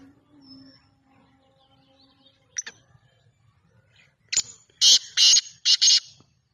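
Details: Francolin calling: a few faint notes, then a sharp click and a run of four loud, harsh, broadband bursts packed close together in the last two seconds.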